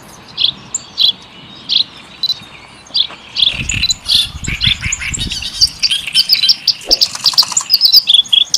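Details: Song of a kerak basi (reed warbler), described as lavish and like a Javanese sikatan londo. Spaced high chips and squeaks grow into a faster, tumbling run of sharp twittering notes over faint low rumbling.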